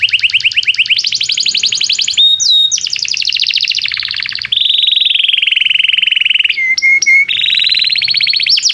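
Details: Canary singing energetically as a tutor for young canaries learning song: rapid rattling trills shifting between pitch levels, short pure whistled notes, and a long steady buzzy roll, all high and continuous.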